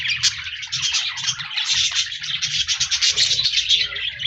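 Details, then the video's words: Budgies recorded 14 January 2024 chattering: a rapid, pulsing run of high buzzy chirps, growing more rhythmic toward the end, over a soft low hum. "Budgies Birds Singing Chirping Sounds Parakeets sounds"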